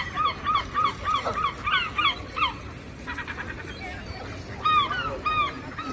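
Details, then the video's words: Several gulls near the ocean give fast strings of short, yelping, descending calls, overlapping in a noisy chorus over a constant background wash. "Seagulls | Seagull Sounds | Seagulls Flying | Seagull Sound Effects And Video"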